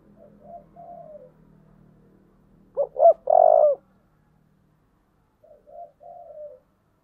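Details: Spotted dove with a 'giọng thổ' voice, urged to fight, makes faint coos, then a strong phrase of two clipped notes and a long, low coo. Softer, drawn-out coos come after a pause.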